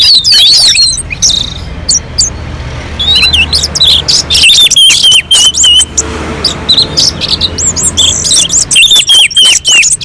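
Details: Orange-headed thrush on a mountain slope singing loud, varied, fast phrases of sharp whistles, slurred notes and high chips in near-continuous bursts, used as a lure to set other birds singing; a low steady hum runs underneath.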